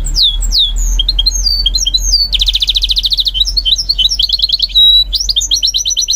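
A goldfinch mule sings a fast, varied song of high twittering notes, slurred whistles and a dense buzzy trill, with a faint low room hum underneath.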